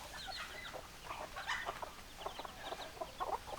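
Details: Hens clucking together in a flock: many short, overlapping clucks and soft chatter, scattered and irregular, fairly faint throughout the recording.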